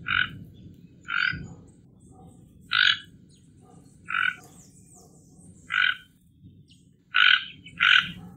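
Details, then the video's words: Toco toucan from Brazil giving about seven gruff croaking notes at irregular intervals, ending with a quick pair, against a low rumbling background. "Tucano Toco Canto"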